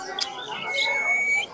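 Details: A talking rose-ringed (ringneck) parakeet, said to speak about ten words and mimic cats, chickens and other birds, is being prompted to say 'mithu'. It rasps out a short, speech-like word: a scratchy squawk, then a thin, steady, high whistled tone.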